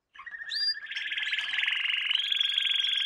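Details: Canary training song for young birds: a low fast trill gives way to a dense rolling buzzy tour that rises and brightens in pitch.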